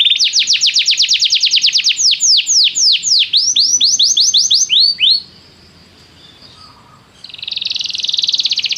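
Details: Canary training song to set a canary singing: a rapid series of falling slurred whistles that slows, a near-silent pause with faint chirps, then a fast buzzy trill.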